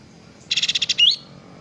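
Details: Kapas tembak singing vigorously on a training recording for cage birds: seven fast, evenly pulsed buzzy notes, ending in a bright rising whistle.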